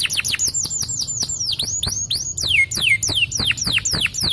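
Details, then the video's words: A yellow canary sings a rapid, continuous run of high, clear whistles, each note swooping sharply downward, about three or four notes a second with no pause. Belgian canary. "the yellow Canary is the cool long sound of the champion"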